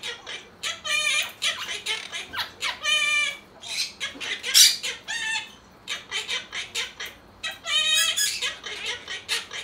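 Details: Pet monk parakeets, a six-year-old green male and a five-year-old yellow female, sing learned songs together in bursts of harsh, nasal, rasping notes that repeat and overlap like copied tunes delivered in squawky phrases.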